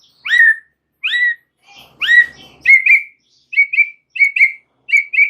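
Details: White-rumped shama (murai batu), extra chattery and full of varied phrases in gacor style: clear upslurred whistles, then short paired whistled notes repeated about every half second.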